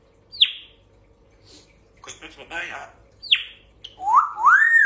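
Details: Grey parrot mimicking speech, the phrase given as "kuch kuch hota hai yar". Two steep descending whistles frame a stretch of raspy, voice-like syllables, followed by paired rising, arching whistles at the end over a low steady hum.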